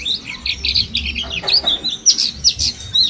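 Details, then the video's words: Mountain white-eyes from Mount Slamet, caged together and ten days into learning ngalas song, give softer, scattered high chirps and short sliding twitters over a faint low background hum. "Pleci gunung slamet ombyokan 10 hari belajar ngalas"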